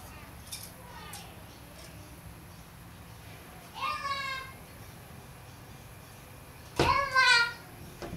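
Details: In the morning, a kookaburra apparently fighting its own reflection gives two brief bursts of harsh, cackling notes that fall in pitch, about three seconds apart, after a few fainter calls at the start.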